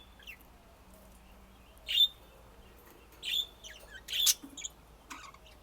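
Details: Budgies calling with a few loud, sharp chirps and squeaks in quick clusters, spaced by quiet gaps, against faint room hiss.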